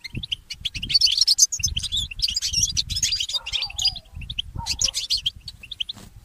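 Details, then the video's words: Mule goldfinch, a goldfinch hybrid, singing in the early morning: rapid high twittering and chirping runs with short buzzy notes. A lower, wavering note cuts in briefly near the middle, and soft thumping sounds underneath. "The inspiring Motif of the Mule Goldfinch"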